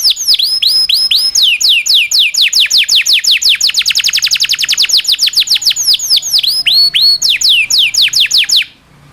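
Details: Canary master song for teaching canaries to sing: long unbroken run of fast descending whistled sweeps, about five per second, rising and falling in pitch, ending abruptly in silence.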